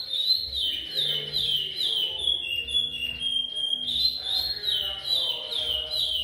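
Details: Curió (chestnut-bellied seed finch) singing in the repetidor Goiano style: bright whistled phrases, partly slurred downward, repeated steadily over a faint low hum, with a man speaking just afterward.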